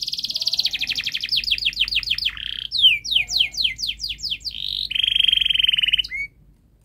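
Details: Canary giving long, fast, dense song as a model for young canaries learning to sing. Rapid high trills of down-swept notes change tour every second or so, broken by a buzzy steady stretch and ending with a short rising note.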